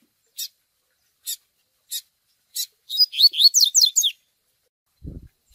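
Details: TUI TUI style song of a Double-collared seedeater, combined with begging calls of a chick for song training. Four slow, rasping peeps lead into a fast chain of sharp, descending whistles. A brief low thump sounds near the end.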